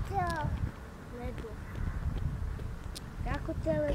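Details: Black-throated loon calling at Vlachy near Liptovský Mikuláš, Slovakia: rapid series of falling, nasal, harmonic notes at the start, scattered short notes, then another burst of descending calls near the end, with low rumbling noise throughout.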